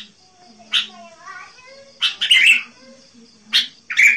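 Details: Sooty-headed bulbul used to call in wild birds, giving sharp short bursts spaced about a second apart, with faint wavering whistles between them.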